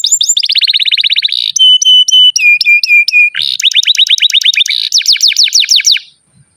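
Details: Canary delivering long, continuous training song for young canaries and those that have stopped singing: brisk trill, pure whistled notes held in a series, then rapid rhythmic sweeps and a buzzy trill.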